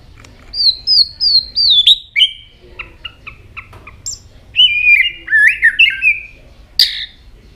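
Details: Tail-flicking white-rumped shama in a many-voiced song: a series of four descending high whistles, a handful of short clipped notes, then a tumbling, warbled phrase and one sharp final burst.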